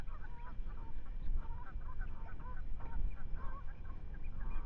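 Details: Nesting Ospreys at Manton Bay on a wide-angle live webcam, 10 May 2025. Quick runs of piping, slightly downslurred whistles repeat through the recording against heavy low-pitched wind noise.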